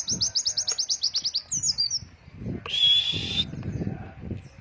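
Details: White-eye song used to train young birds, long-breath 'ngalas wit wit' style: about a dozen fast, high slurred chirps in an even string, then a thin sliding trill and a short steady whistled note.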